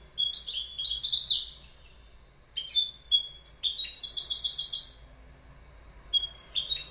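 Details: Clear goldfinch song in several separate bursts of sweet, tinkling twitters and short buzzy trills, with brief quiet gaps between phrases.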